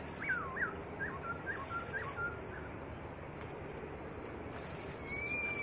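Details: White-rumped shama master song for training songbirds: a quick series of five or six curling, looping whistles in the first two seconds, fading out, then a thin high whistle near the end amid steady hiss.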